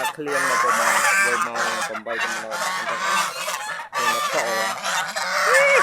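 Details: Several domestic geese enjoying the fields around their home, said to be happy; a steady chorus of brassy, overlapping honks and cackles runs throughout, with brief dips, and one rising-falling honk stands out near the end.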